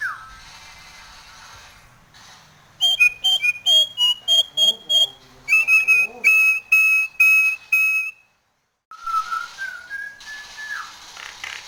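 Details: Nias hill myna in breeding condition, head-bobbing in song: loud strings of clear whistled notes repeated almost twice a second, a brief pause, then a long gliding whistle and harsher phrases.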